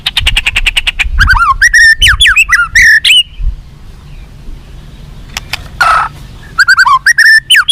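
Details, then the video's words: White-rumped shama song for making caged birds fight and respond: fast ticking trill, then loud swooping whistled phrases, a pause with clicks and a harsh rasping note, ending in more varied whistles. "SUARA BURUNG MURAI BATU FIGHTER"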